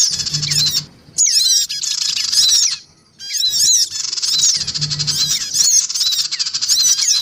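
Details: Lure recording of black-winged cuckooshrikes, female, male and young: loud rasping chatter mixed with bright falling squeaks, with a quiet gap near three seconds.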